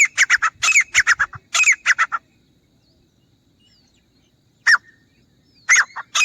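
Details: Grey francolin (teetar) recorded as a hunting call: a burst of loud, harsh, quickly repeated notes for two seconds, then a long silence broken by two more isolated ringing calls near the end.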